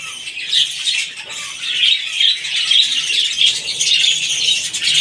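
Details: Budgerigars, apparently a breeding colony with eight chicks, give a steady stream of high, scratchy chirps and squawks that overlap continuously.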